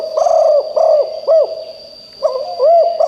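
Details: A decoy spotted dove coos loudly to lure wild birds. A run of rounded, hooting notes comes in two bursts with a short pause between them. A constant thin high tone sounds throughout.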